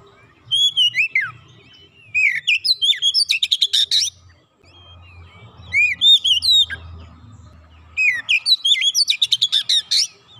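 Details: Repeated song phrases of an Oriental magpie-robin for drawing silent birds into song: each phrase has whistled upslurs followed by a dense rattle of buzzy notes, given three times roughly every three seconds.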